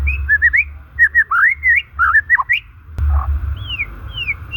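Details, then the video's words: Natural white-rumped shama song for luring stressed, silent shamas: quick bursts of warbled, looping whistles, a short pause, then a few drawn-out descending whistles. "Suara alami murai batu ini SANGAT COCOK untuk pemikat murai MACET dan SETRES"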